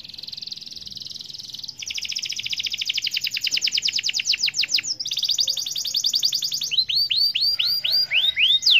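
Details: Canary in full song, a champion-style 'gacor' singer: a fast buzzy trill on one pitch gives way to quick rising rattles, then a series of loud swooping down-slurred whistles near the end.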